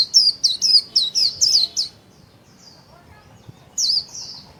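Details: Kept white-eye in full 'líu' song with wings fanned: a fast string of six high, bright slurred notes dipping and rising, then a softer trailing phrase, a pause, and another short warbled flourish.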